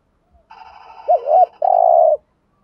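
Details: Spotted dove decoy uttering one 'thúc gù' urging phrase: a soft hum rises into a wavering two-lobed note, then a long, steady, buzzy coo ends it.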